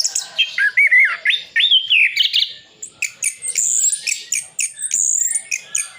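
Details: Song of an orange-headed thrush in Sidoarjo, East Java, packed with borrowed phrases. Wavering mid-pitched whistles give way to clipped high chirps and thin, drawn-out whistled notes.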